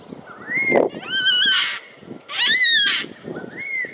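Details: Yellow-tailed black cockatoos feeding on pine cones in Botany in March 2012 give four drawn-out, wailing calls, rising and wavering with a harsh, rich tone, about a second apart; faint background rustling.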